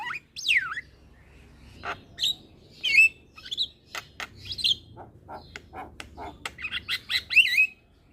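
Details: Starling (jalak) used as a lure to restart a silent bird's singing: a swooping whistle, then spaced chirps and short clicks, closing with a twisting burst of bright whistled notes.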